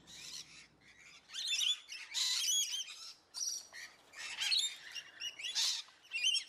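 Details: Painted bunting song: short bursts of high, jumbled chirps and warbled notes in quick phrases separated by brief pauses, with several notes overlapping and no other clear sounds.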